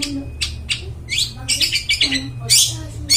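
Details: Energetic long-tailed shrike song meant for luring wild birds in the forest: rapid harsh chattering notes, some rising and squeaky, delivered in a fast irregular run with faint low hum behind.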